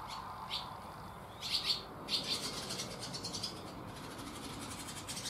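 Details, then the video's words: Barn swallows in a shed on Getterön, 17 May 2018, giving short bursts of sharp high chirps and brief twittering runs separated by quieter gaps over a steady background hiss. "Barn Swallows chirping loudly in a shed"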